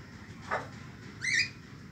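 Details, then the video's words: A peafowl, which the speaker calls a female, gives one short, loud, nasal upward-sliding cry after a faint brief scrape, over a steady low background rumble. "مدهش الطاووس دعوة جميلة"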